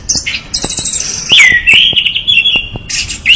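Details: Orange-headed thrush singing vigorously in the lively gacor style: high sweet phrases, a long wavering whistled strand sliding upward, then a burst of bright twittering at the close.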